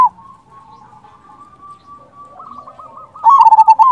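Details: Local zebra dove lure recording: soft, drawn-out cooing murmurs for three seconds, then one loud burst of quick, stuttering coo notes near the end.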